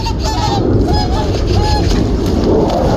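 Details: Whooper swans wintering on a reservoir, a group of five or six back in the morning after a night away, nodding and calling as they approach others before a fight breaks out; repeated bugling honks over steady low rumble.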